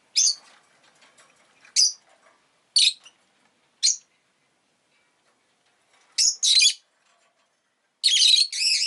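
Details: Rosy-faced lovebird kept at home, sounding shrill, scratchy chirps about once a second, a pause, then a doubled chirp and a longer, rasping burst at the close.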